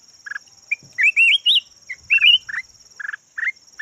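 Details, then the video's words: Red-whiskered bulbul of the yellow form, a decoy bird, singing a busy run of rolling, climbing whistled phrases interspersed with short buzzy chips, notes coming several per second, over a steady thin electronic whine. "chim chào mào vàng chim mồi"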